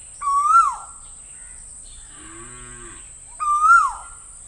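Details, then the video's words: Pair of rising whistled Asian koel calls separated by about three seconds, with a cow's low moo filling the gap between them. "Asian Koel Master Sound - Asian Koel Sound Effect"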